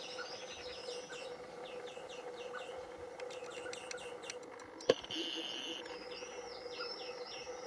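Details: In a garden in 2021, recently fledged juvenile European greenfinches being fed by the male give rapid, high, wheezy chirps in quick runs, with a steady low hum underneath and a sharp click midway.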